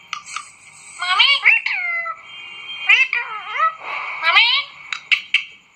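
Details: Pet talking parrot eating an apple: a series of loud, harmonic, voice-like calls with bent upward and downward glides, some harsh noisy squawks, and short sharp clicks between.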